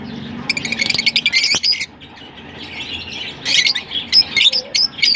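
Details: Lovebirds from Larkana giving bursts of shrill, squeaky chirps and squawks in fast, irregular runs, with a quieter pause in the middle before the chattering picks up again.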